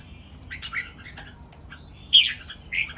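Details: Three red-whiskered bulbuls competing in song, a counted-phrase master song style. A quick chirpy phrase comes early, then a louder sharp whistled burst past two seconds and a short closing note.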